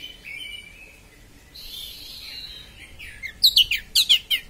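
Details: Oriental magpie-robin in sharp-voiced 'konslet' song, used to provoke other magpie-robins: soft, faint warbled phrases at first, then a burst of loud, quick, high whistled notes repeated in rapid succession near the end.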